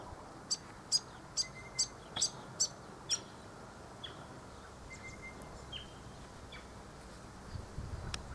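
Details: Grey fantail in an Aleppo pine beside a paddock. It gives a series of about eight sharp, high ticking notes roughly every half second, followed by a few faint thin whistles over steady background hiss.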